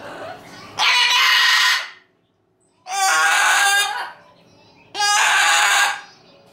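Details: A pet umbrella cockatoo, clamouring because it wants to play, gives three loud, harsh, raspy screams of about a second each, spaced roughly two seconds apart, with quiet room noise between.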